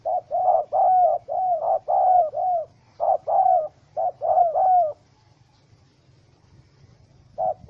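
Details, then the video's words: Spotted dove, wild bird trapped with a small rope and angry, 04/07/2017. A burst of tightly packed gruff coos comes in pairs and triplets, then a silent pause of about two seconds before one more note. "Sound Of Angry, Wild Bird Trap With Small Rope: Birds Spotted dove(Spilopelia chinensis)"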